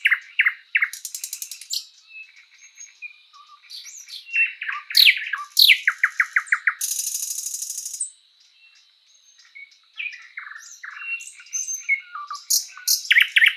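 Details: Thrush nightingale singing in a spring forest: a varied, loud sequence of rapid repeated clicking notes, a dense buzzy rattle, sharp rising whistles and fast stuttering series of notes, with short pauses between phrases.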